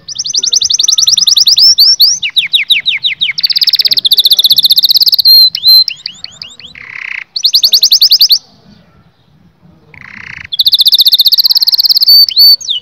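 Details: Canary song intended to stimulate males and females to mate. Loud ringing trills alternate with falling whistled notes and low harsh buzzes, broken by silent gaps.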